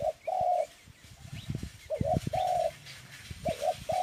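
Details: Dove coos in a repeated short-then-long pattern, steady mid-pitched notes over low rumbling and thumping background noise.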